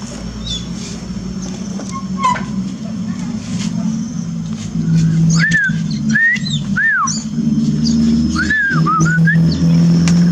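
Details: Oriental magpie-robin song used as training therapy for a kept bird that sings little after moult: sparse, clear slurred whistles arching up and down, set against loud low droning background noise.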